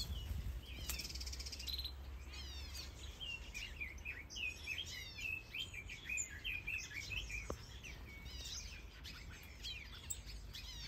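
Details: Mixed birds in a large planted aviary in Denmark, housing finches, softbills, partridges, quails, canaries, goldfinches, Gouldian finches, Java sparrows and turacos, many breeding; dense overlapping high chirps and twittering phrases throughout, with steady low background hum.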